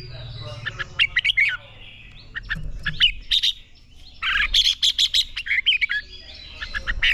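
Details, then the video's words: Red-whiskered bulbul singing hard in a training recording meant to spur competition song: dense runs of quick, bright whistles and chirps, with a short lull before another energetic burst of notes. "Chào Mào Hót | QUÁ CHẤT. Luyện chào mào CHÉ/ KÍCH CHÀO MÀO NHANH CHÉ"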